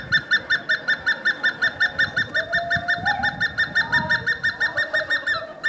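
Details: Hemprich's hornbill calling on the grounds of Wollo University, Ethiopia: a long series of rapid, evenly spaced piping notes, about three per second, steady throughout, with faint background rumble.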